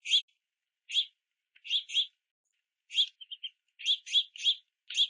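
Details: Several young house finches in rain at a backyard bird feeder beg for food with clipped, scratchy chirps, some doubled, plus a trio of softer quick notes midway.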